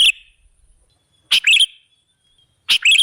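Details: Sooty-headed bulbul (kutilang) lure song played to draw other birds in. Crisp chirp-and-warble phrases, each a sharp attack followed by a quick twisting flourish, with long silent pauses between them.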